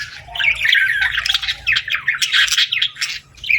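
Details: Young budgerigars begging for food with scratchy, buzzy chirps and short squawks in quick bursts, louder pulses separated by brief gaps toward the end.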